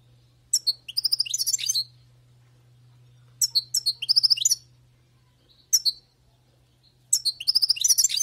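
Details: Wild-caught European goldfinch singing: four bursts of bright, rapid twittering and tinkling notes, separated by pauses of one to two seconds, over a steady low hum.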